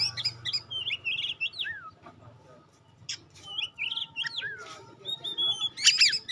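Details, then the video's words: Oriental magpie-robin of the pastol type, used as a lure to test and provoke other magpie-robins: high, varied whistled phrases and quick slurred notes with pauses, over a faint low hum, ending in a sharp burst. "Tes Kacer Anda dengan Kacer Pastol Ini. Semakin lama makin Panas"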